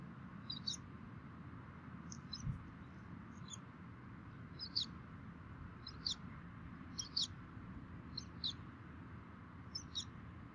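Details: At a Minnesota DNR nest camera on 3 May 2016 at 11:48, both bald eagle parents feed their chicks; faint, high, squeaky chirps repeat every second or so over a steady background hiss.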